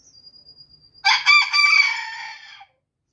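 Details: Crowing of a booted bantam rooster, one full crow lasting about a second and a half. It starts with choppy, strained syllables and drags into a drawn-out hoarse tail, preceded by a thin high whine and faint low thumps.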